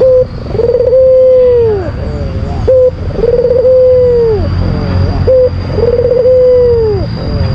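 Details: Lure call of an albino Barbary dove, used to stir up a rival: three deep rolling coos, each ending in a long tone that dips down, spaced about two and a half seconds apart, over low rumble and a steady high whine.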